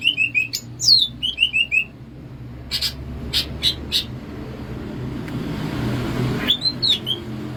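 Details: Bebeciu-style song of a greater green leafbird from Alas Purwo, Banyuwangi: quick falling whistled triplets and a steep downslur in the opening seconds. Then come clicking taps and a low rumble, and a few brief whistles near the end.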